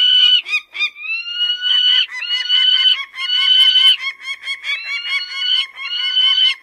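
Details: Peregrine falcon giving drawn-out, whining wails, each about a second long and slightly rising. The wails alternate with bursts of clipped harsh notes.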